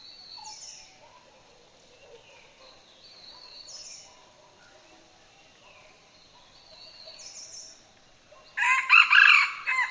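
A Red Junglefowl gives a short, hoarse crow near the end that cuts off abruptly. Before it, a small bird repeats thin, high chirps every few seconds.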